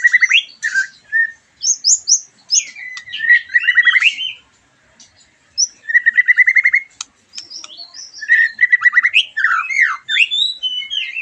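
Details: Caged white-rumped shama song meant to provoke a bird just past moult: bursts of rapid repeated notes, fast trills and high chirps with short pauses between phrases.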